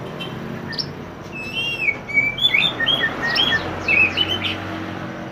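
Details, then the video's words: Pied bushchat (mantenan) in lively song, a recording meant for training other songbirds: a varied string of clear whistled notes, some rising, some falling, with short sharp high chirps, over a steady background hum. "mantenan gacor burung masteran / chirping sound bird"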